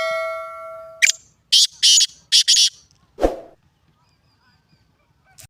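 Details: A Black francolin (kala teetar) gives a quick series of four or five harsh, grating notes, recorded 29 January 2024. A bell-like ring comes before it, and a dull thud follows.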